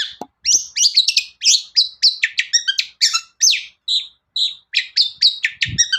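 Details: Long-tailed shrike song intended to provoke other shrikes to sing, a fast string of scratchy chirps, buzzy notes and brief whistles, with short pauses and a busy rhythm throughout. A faint knock is heard.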